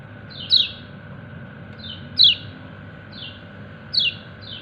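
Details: White-eye (kecial kuning) calling its companions: three strong high falling chirps about every two seconds, each with a faint softer note beside it, over a continuous low drone.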